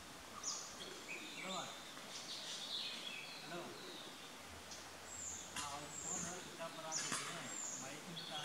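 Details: An orange-headed thrush at Ganeshgudi, Karnataka, India, in January 2016 gives thin, very high, short whistled notes every second or so, mixed with lower chirps from other birds and faint murmuring voices.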